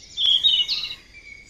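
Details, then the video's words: Yellow-rumped flycatcher singing in the wild: a short, high, clear whistled phrase that wavers slightly and then trails into a thin, steady tone. "Burung sikatan emas Gacor di alam"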